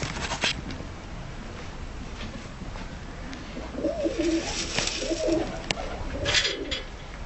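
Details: Tumbler pigeons in a loft, shy-looking yet easy to handle; soft low cooing phrases come in a cluster midway and again near the end, over steady hiss with scattered clicks and knocks.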